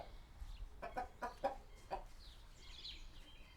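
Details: Chickens in a small village coop, captured with a Sony PCM D100 and Sennheiser ME66: a brief run of four or five soft clucks, then quiet thin chirps from small birds over low background rumble.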